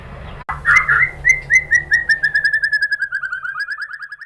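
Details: Shama bird lure from Indonesia for making murai batu respond: after a short cut, a rapid series of whistled notes starts loud near the same pitch and slowly drifts lower and fades over about three seconds.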